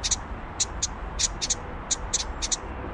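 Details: House wren nestlings on fledging day give short, high, raspy begging notes, about two or three a second in irregular bursts, over a low background rumble.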